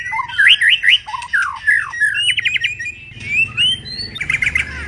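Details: A moulting white-rumped shama sings a lively mix of rippling, wavering whistles, rapid stuttered notes and slurred upward sweeps, with a faint low hum in the background.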